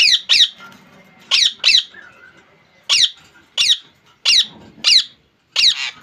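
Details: Rose-ringed parakeet, a Bangladeshi pet, uttering paired harsh screeches at irregular intervals, with soft low background murmur in a small room.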